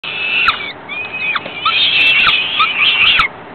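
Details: Falcon chicks begging as the female feeds them a few hours after ringing: harsh, rasping screams with short rising and falling strokes, overlapping almost without pause, plus a few sharp clicks.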